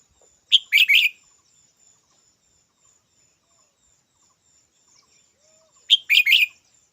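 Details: Red-whiskered bulbul giving a short, bright three-part chirped phrase, heard twice about five seconds apart, with a steady thin high hum running beneath and quiet surroundings otherwise.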